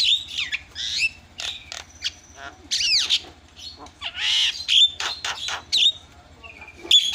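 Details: Lure recording of Javan myna, used to provoke other mynas into calling: a varied jumble of harsh squawks, clicks, slurred whistles and rasping buzzes, loud and irregular, with a low hum beneath.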